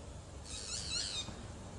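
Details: Boat-billed flycatcher, known locally as neinei, giving one short nasal, buzzy call under a second long, rich in overtones and gently rising then falling, over faint steady background hiss.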